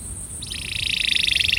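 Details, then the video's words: Short, fairly soft burst of a breeding male canary's attraction song, a fast high trill starting after a brief pause. "Canário Reprodutor - Som de Atração"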